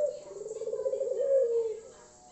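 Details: Loud song of a Tangerin or Iraq variety puter dove, played to prompt other puter doves to start singing. It is a low, wavering coo held for about two seconds that swells slightly near the end before fading.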